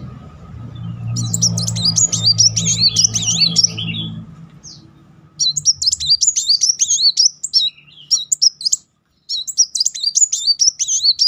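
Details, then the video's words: Van Hasselt's sunbird used as a lure to trigger singing: rapid high thin twittering phrases of wavering zigzag notes in bursts, with a low hum underneath early on. "Kolibri Wulung nembak beruntun -- pancingan Kolibri bahan maupun macet Naik emosi."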